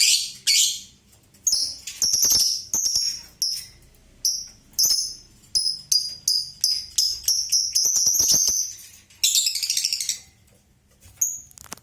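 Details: Lovebird ngekek, long shrill chattering: high, harsh bursts of rapid chatter repeated in runs, with short pauses between.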